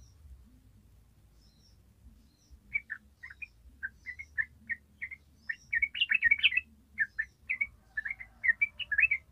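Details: Yellow-vented bulbul singing the long, rapid ropel song, used as a lure to get young birds singing: scattered bubbly notes quicken into dense chattering bursts, then fall back into spaced, warbled pairs, over a faint low hum.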